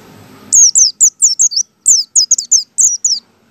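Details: Caged white-eye used as a lure to set other white-eyes singing, known locally as pleci ngalas style: a rapid series of high, thin descending whistled notes, about twelve in under three seconds, clean and loud.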